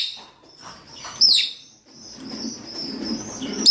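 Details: A single strident, downward-bending screech from rosy-faced or Fischer's lovebirds calling for mating, followed by a continuous thin, high twitter and a soft lower murmur.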